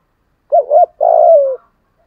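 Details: Morning calling of a spotted dove in the thổ voice style. A clear two-note coo is followed by one sustained, slightly falling coo, loud and clean against silence.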